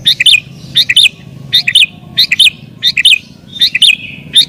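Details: Sooty-headed bulbul, agitated song used as a lure for wild bulbuls; bright bubbling phrases of paired notes repeated roughly every 0.7 seconds, loud and steady.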